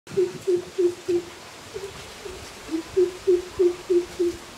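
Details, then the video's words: A greater coucal gives deep, hollow hoots, about three per second, in two runs of repeated booming notes over a quiet background. "Greater Coucal Bird Calling Sound"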